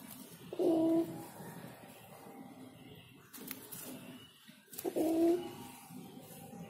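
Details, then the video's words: Spotted dove singing: two clear, hollow coo notes several seconds apart over a steady background hiss. "Suara Burung Derkuku Yang Enak Dan Nyaman didengar Burung Tekukur Bernyanyi"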